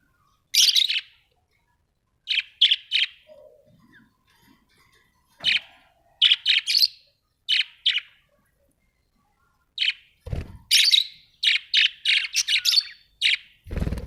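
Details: Pet budgerigars at home give loud, scratchy chirps in short bursts, single and in quick clusters of two to five, with pauses between groups and a couple of low thumps.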